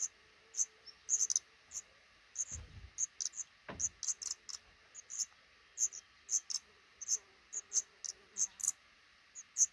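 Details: Black redstart pair nesting in a small nook under the roof above a front door, raising five chicks as eggs hatch; thin, high chirps repeat in quick irregular bursts, with two low thuds in between.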